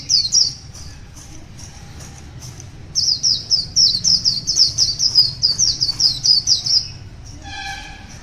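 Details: Wild white-eye singing in the morning: a long run of rapid, high, thin twittering notes repeated about twice a second, pausing briefly, then a lower harmonic whistle-like sound near the end.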